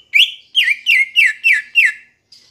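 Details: Green leafbird singing, played to coax kept birds into song: six loud whistled notes in quick succession, each rising then dipping, about three per second.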